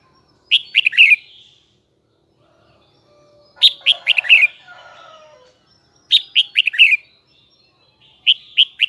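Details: Huế red-whiskered bulbul giving its high, double-twisted song: short phrases of four or five clear, slurred whistles, repeated roughly every two to three seconds, with faint lower tonal murmurs between two phrases.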